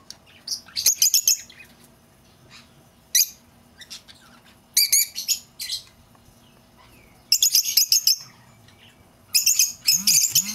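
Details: Lovebird calls, played to lure back an escaped bird: bursts of shrill, high chattering chirps in dense clusters of about a second each, separated by short pauses, with a faint low hum in the background.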